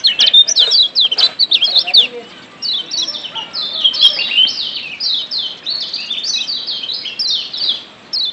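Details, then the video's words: Lombok yellow white-eye from the wild, played as a lure to spur singing, delivering a continuous stream of sharp, high, sliding chirps at a rapid, uneven pace. "Ciak Joss Kecial Kuning ALAM LIAR‼️PERANGSANG Ampuh Bikin Kecial AKTIF BUNYI‼️"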